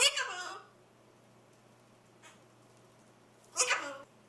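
A macaw chatters in two short, raspy, speech-like bursts about three seconds apart, over a low steady indoor hum.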